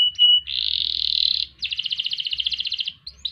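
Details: Canary song in the ngerol and ngerek style. A short whistle opens into a long even buzzy roll, followed by a fast, regularly pulsed trill that fades into a couple of brief chips.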